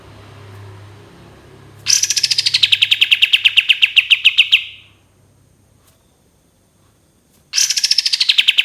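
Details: Cream-vented bulbul giving a long shooting burst song: a rapid run of about twenty sharp repeated notes that starts high, drops and holds steady, then stops abruptly. A second burst begins after a short silence. Faint low hum at first.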